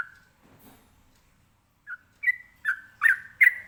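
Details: Sooty-headed bulbul singing ropelan, a song to get other birds to respond: one whistle, a quiet stretch, then five increasingly loud, clear whistled phrases arriving in quick succession.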